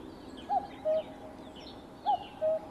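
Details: Cuckoo giving two clean cu-coo phrases, a quick dropping first note and a level lower second note, spaced about one and a half seconds apart against soft background noise and faint other birds.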